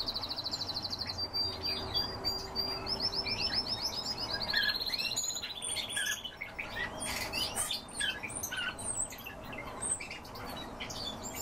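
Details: European bee-eater giving a run of liquid, rolling trilled calls, several in close succession and slightly stepping down in pitch, followed by scattered sharp chirps and clicks.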